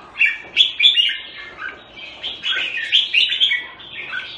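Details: Red-whiskered bulbul from Singapore, locally jambul, singing busy, jumbled phrases of slurred chirps and short whistles, tumbling along without pause.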